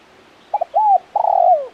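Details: One full 'kuk 1 mersik' phrase from a male spotted dove: a clipped double 'kuk', a smooth arched coo, then a long vibrating coo that slides downward. The setting is quiet.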